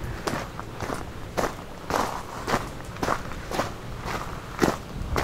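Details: Footsteps on a trail during a summer hiking walk in Southern Ontario, Canada, with regular crunching steps roughly twice a second and no clear birdsong.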